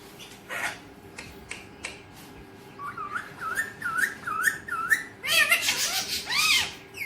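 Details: Pet Alexandrine parakeet indoors giving a run of wavering whistled notes near the same pitch, repeated about twice a second, then louder harsh, ringing squawks with rising and falling inflections.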